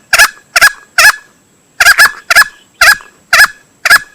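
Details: Hunting-lure recording of a male green junglefowl: sharp, throaty double-pulsed notes, three in quick succession, a short gap, then six more at irregular spacing. A faint electronic whine sounds throughout.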